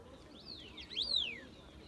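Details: A bird gives a single arched, whistled call that rises and then slides steeply downward, with a fainter overlapping note, over a low background hum.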